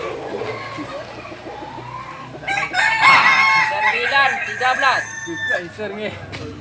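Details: Native Kokok Balenggek chicken from Solok, West Sumatra, giving a loud, rapid run of stepped crowing syllables after a quieter opening of softer calls, with overlapping roosters and some background music.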